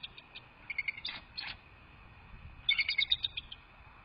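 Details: Bald Eagles at a nest on 18 December 2023, heard through a live-streamed nest camera: a short run of high chittering notes, a pause, then a longer fast string of piping, twittering pulses above a faint low rumble.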